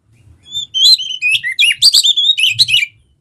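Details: Kacer, or Oriental magpie-robin, singing vigorously to coax other birds into song: a rising run of loud whistled notes, fast chattering trills and sharp clicks lasting over two seconds; faint low hum.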